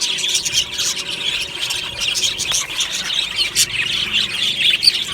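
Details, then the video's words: Morning chatter from an aviary colony of budgerigars, described as happy: continuous shrill twittering interrupted by short louder chirps and squeaky calls. "Beautiful Budgie morning happy singing and chirping sounds"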